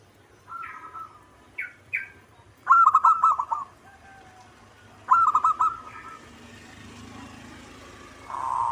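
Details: Local zebra dove singing: two loud bursts of rapid, stuttering coos on one pitch, each about a second long and a few seconds apart, preceded by short fainter cooing notes, over a soft steady background hiss.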